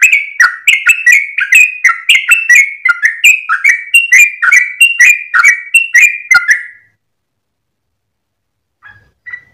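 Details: At dawn a sooty-headed bulbul sings a long 'ropel' phrase of rapid, clicking whistled notes that stops after about seven seconds; silence follows, then one faint short note near the end.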